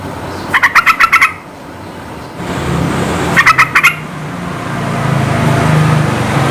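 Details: Yellow-vented bulbul song played to goad silent birds into singing. Two tight bursts of rapid, bright notes are separated by about two seconds of pause, with a growing low rumble like passing traffic.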